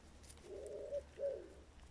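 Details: A turtle dove gives low, soft cooing notes, a longer hoot then a shorter one, over faint background hum of passing cars, heard on a warm, sunny walk by a quiet road near shady trees and vineyards.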